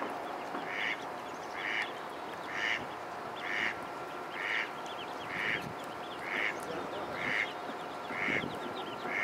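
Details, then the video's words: Ducklings in a pond: a steady series of short, bright calls repeated about once a second, each with a strong tone and layered overtones, over a constant hum and a faint thin steady whine. "Baby Ducks"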